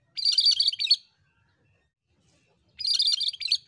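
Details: Cucak kerinci bulbul in vigorous song, two dense phrases of fast chattering high notes, each under a second, separated by almost two seconds of silence.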